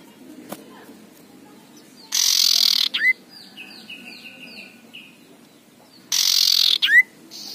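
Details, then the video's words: Aggressive male common iora alternating loud harsh rasps with rising whistles, with a run of soft, quick downslurred notes between the two bursts. "pancingan cipoh jantan galak ngekrek suara kasar"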